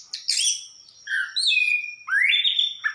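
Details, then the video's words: Anis kembang, or orange-headed thrush, singing slower drawn-out whistles: a high burst, then steady level notes and a clear upward-sliding whistle. "Burung Anis kembang gacor"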